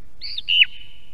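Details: Song thrush in Estonia, captured on an osprey nest camera: a single quick phrase, a thin looping whistle sliding into a louder downward-swooping note that rings on briefly.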